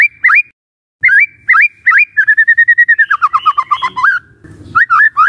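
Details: White-rumped shama song as a lure for other shamas: spaced upslurred whistles, then a rapid even trill of clear whistled notes sliding into descending chirps, ending with more rising whistles.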